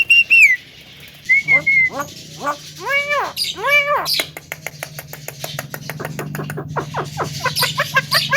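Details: Javan myna song said to provoke other birds: a high falling whistle, a level whistle, then a run of arched harmonic notes and a rapid dry rattle. A steady low hum runs underneath.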